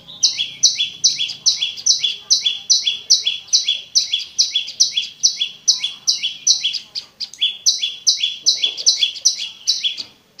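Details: A long, clear run of prinia song meant to prompt a silent caged prenjak: quick paired high-and-lower chirps repeated rhythmically about twice a second, with one short pause in the middle.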